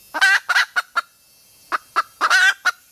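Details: Mate-seeking call of a female red junglefowl: rapid harsh clucks building into a raspy drawn cackle, repeated with short clipped notes between, over a faint high background hiss.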